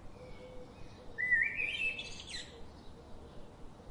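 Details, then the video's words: Garden birds that visit daily, chirping: a single bright, warbling phrase of about a second in the middle, rising and twisting, with faint notes around it and a steady low hum of background noise. "The chirping sound of these daily visiting birds"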